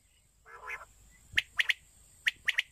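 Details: A female rain quail recorded in the morning gives a brief nasal, buzzy note, then sharp clicking chips, mostly in quick pairs, over a steady high whine.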